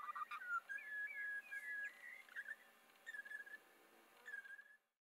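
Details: A spiny-cheeked honeyeater (Acanthagenys rufogularis) in the Mallee at Patchewollock, Victoria, gives liquid, gurgling whistles that slide up and down around mid pitch, in quick bursts with short pauses.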